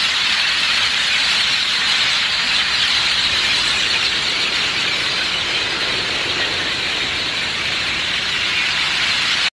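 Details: A large flock of Great-tailed Grackles in Edinburg, Texas, makes a dense, unbroken din of shrill squeaks, whistles and harsh rattles, loud and steady throughout.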